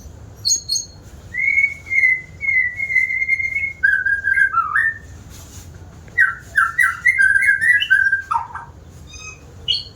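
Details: White-rumped shama, said to be a keen singer, with long sustained clear whistles that slide downward, followed by a series of quick rising and falling whistled notes and some thin high chips.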